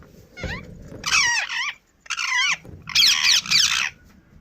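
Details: Pet Indian ringneck parrot giving its natural calls: loud harsh screeches in bursts of two or three with short gaps, over faint low background music.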